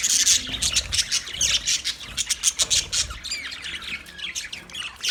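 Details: Budgerigars chattering in a colony, a fast jumble of high squawks and chirps with some quick rising whistled slides, busier at the start and easing slightly toward the end.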